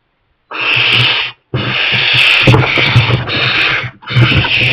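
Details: A young barn owl that has moved into a kestrel nest box, where its parents keep bringing mice, gives long loud rasping hisses, one short and then a drawn-out run with brief breaks, over low thumping.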